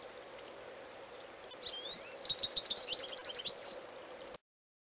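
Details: Male goldfinch belting out song nearby: after a quiet start, rising sweet notes lead into a fast, tinkling twitter of varied chirps, with a steady low hum beneath, then sudden silence.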